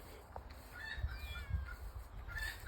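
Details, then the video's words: Hen in a barn in the morning, calling for about five minutes, possibly announcing an egg (an egg was then found), gives a few faint, drawn-out squawks about half a second apart over a steady low rumble. "this chicken has been going on like that for about five minutes now"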